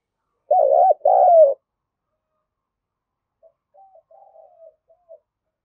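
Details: Spotted dove coo used to excite a decoy into cooing: two loud rolling coos, the second longer and falling, followed by a few faint, quiet dove notes.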